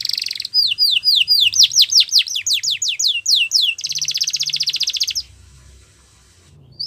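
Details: Yorkshire canary singing, a recording meant for training young canaries: a quick series of sharp, high down-slurred notes, about nine in three seconds, then a dense buzzy trill that stops abruptly, followed by faint low hum and a short chirp.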